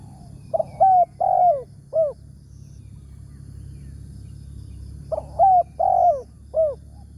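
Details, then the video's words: Wild spotted dove with a big voice, targeted while luring with a decoy in the morning; two matching phrases of four hollow coos about four and a half seconds apart, each with a longer drooping middle note. "TEKUKUR SUARA BERSAR"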